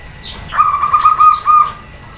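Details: Calling female zebra dove, provoking males and other doves to answer: a brief trill of about five soft, rounded coo notes, ending with a faint trailing tone.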